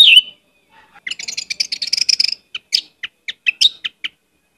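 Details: Actively singing Orange-headed thrush on a lure track full of varied phrases: a rapid, scratchy chatter of clustered chirps, followed by a string of separate sharp notes spaced roughly a quarter second apart.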